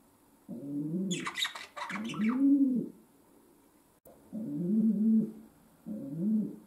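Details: Domestic pigeon kept as a pet coos low and rounded indoors, while a brief burst of higher scratchy rustling breaks in early; further coos follow after a short pause, faint hum underneath.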